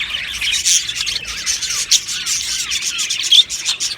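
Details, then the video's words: Budgies in an aviary warbling, with short downward-sliding whistled notes repeated amid dense high chirping, plus a few louder sharp squeaks. "Beautiful Happy Budgie singing and chirping sounds"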